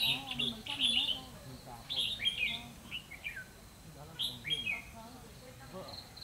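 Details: Red-whiskered bulbul used as a decoy in trapping, singing its fighting song in Vietnam, 12 November 2016; lively clear warbled phrases with bubbling downslurred notes in several bursts, quiet voices in the background.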